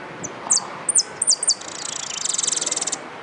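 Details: Full-yellow saffron finch singing in a song contest: a few high, sharp downslurred chips, then a fast buzzy rattling trill lasting about a second, over faint background hiss.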